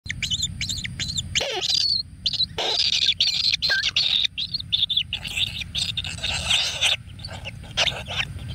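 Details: Kingfisher chicks in a natural nest, fed frogs by a parent: harsh, buzzy high calls in bursts of varying length, broken by short silences, over a low steady rumble.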